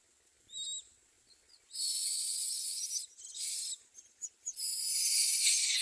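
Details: Common myna chicks in the nest give harsh, hissing rasps, a brief faint squeak first, then long broadband wheezing bursts that run together toward the end.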